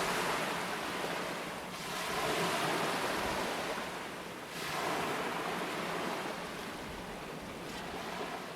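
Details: Only the steady rush of surf and wind is heard, swelling and fading, with no animal calls.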